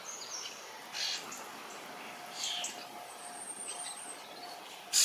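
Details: Common starling fledglings in a large berry bush wait for a parent to feed them rather than eat the berries, giving harsh, raspy begging bursts about a second and a half apart, with thin high whistles and a faint low hum.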